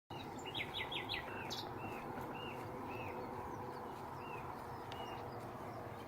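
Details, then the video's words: Nightingales singing around Braziers Meadow in Orwell Country Park among hedges: a quick run of four repeated rising notes, a high buzzy burst, then scattered short upslurred whistles over steady broadband background noise. "Nightingales singing around Braziers Meadow, Orwell Country Park."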